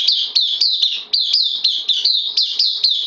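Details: Caged bulbul on loan as a newcomer, September 2020: a continuous string of loud, piercing notes, each starting sharply and gliding down, repeated roughly every quarter second without a break.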